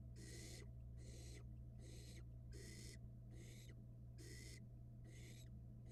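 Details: Nestling barn owl filmed by a Florida nest cam while gulping down a rat: steady rasping hisses, each under a second, six bursts with short gaps, over a constant low hum.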